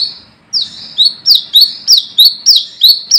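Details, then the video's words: Brown-throated sunbird calling to rivals, used for luring: one long downslurred buzzy note, then a brisk string of sharp descending notes about three per second. "Manggaran Ngalas Gacor"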